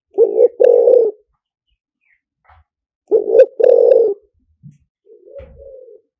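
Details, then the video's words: Decoy calling of a spotted dove, liu tan song style, used to attract wild birds: two strong phrases of a clipped double coo plus a long burry note, then a softer, fainter coo near the end. "เสียงต่อนกเขาใหญ่หมานๆ, เสียงนกเขาใหญ่ ต่อเข้าเร็ว เสียงหลิ่วตัน"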